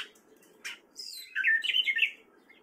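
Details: Short excerpt of a male gray catbird singing in spring in Fairfield, Iowa: a couple of soft chips followed by one rich, tumbling warbled phrase.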